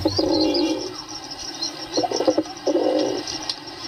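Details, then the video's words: Pigeons cooing: low, throaty rolling coos in two long bursts, with thin high twittering in the background throughout. "Pigeon sound"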